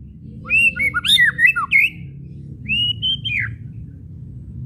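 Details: White-rumped shama kretekan with whistles, a lure to set shamas singing: a rapid cluster of high looping whistles and sharp clicks, then a long arching whistle falling at the end, over low background hum.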